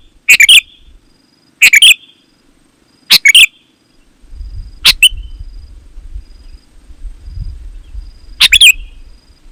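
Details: Song of a sooty-headed bulbul used to call in other bulbuls: five short chirpy bursts spaced irregularly, some with a ringing tail, over a soft low rumbling background in the middle section.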